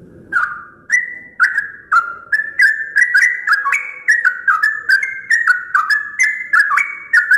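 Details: Sooty-headed bulbul singing at dawn, one of the first birds heard in the morning: a long run of short, bubbly whistled notes in quick stepped phrases, rising and falling, repeated steadily with sharp clicking ticks between them.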